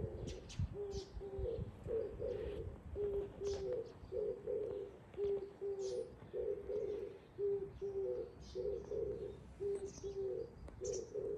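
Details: Oriental turtle dove heard on 13 April 2024 repeating its deep, husky four-part coo. Two clipped low notes are followed by two drawn-out, buzzier notes, cycled about every two seconds. Distant small birds chirp faintly in the background.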